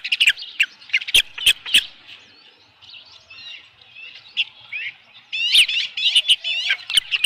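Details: Osprey at its nest with a headless fish, July 2018 at 7:55 PM: loud clipped whistles with crisp knocks, easing into softer chirping, then a strong run of rising, slurred squeals.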